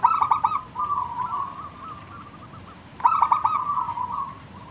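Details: Local zebra dove in lively 'manggung' song, used as a lure for other doves: two loud stuttering trilled phrases about three seconds apart, each trailing off into a long, low, rolling coo.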